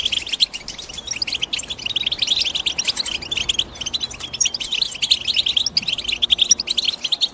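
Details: European goldfinch twittering at a rapid pace, high bright chirps clustered into bursts with short gaps between them.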